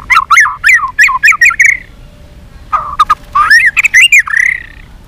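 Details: Fighting song from a white-rumped shama, many-voiced: a quick series of loud repeated looping whistled phrases, a pause, then lower notes rising into strong varied whistles.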